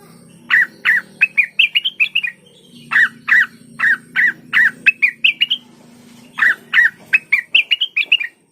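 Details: Cucak wilis song, played to spur a kept bird to sing. Phrases start with several slurred, downward notes and end in quick, rising, bright chirps. Each phrase repeats after a brief gap.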